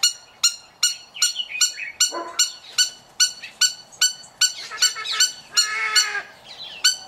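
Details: Rhythmic, buzzy-nasal notes from a caged male trumpeter hornbill in Oregon, USA, repeating about two to three per second, while lower honking and squealing calls from other aviary birds break in around two and six seconds.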